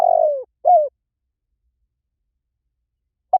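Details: Spotted dove: a long, low, burred coo sliding downward, followed by one shorter rounded coo, then a long silence and a brief final note.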